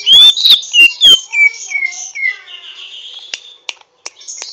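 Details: Greater green leafbird practising its song, rough and twittery: several loud whistled slurs at the start, then a fading series of falling notes and a thin high buzzy trill.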